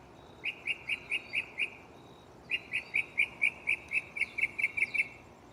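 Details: Close mockingbird singing at night from a tree: a string of six crisp repeated notes, a short gap, then a longer run of about twelve identical chips, speeding slightly toward the end.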